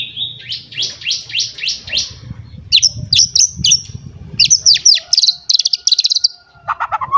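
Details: White-rumped shama in an agitated state seeking a rival gives a rapid series of high descending whistled notes, then sharp repeated chips and trills, over a low background hum.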